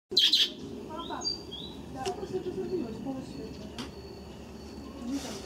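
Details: Several budgerigars in an aviary give quick, high chirps and thin whistles over a soft, constant chatter.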